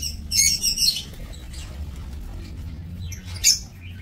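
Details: Breeding lovebirds in an aviary on 22 November 2024: a dense volley of shrill, squeaky chirps opens the recording, then fades, before one more sharp chirp near the end; low hum underneath.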